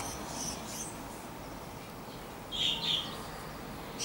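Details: Fieldfare recorded on 23 July 2015: two short, slightly harsh chirping notes high in pitch, given close together mid-way, with a further faint high note at the start and end over a low steady background hiss.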